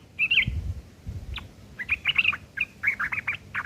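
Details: Sooty-headed bulbul giving rough ngeriwik chatter as shrike tutor material: broken, squawky chirps and short scratchy notes in irregular clusters, with low thumping noise underneath.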